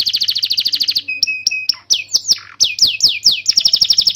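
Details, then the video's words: Canary song recorded to lure young or silent canaries into singing; a rapid high trill, then spaced flat whistles, swooping descending notes and a closing quick trill. "Suara burung kenari gacor Pancingan kenari paud kenari macet bunnyi"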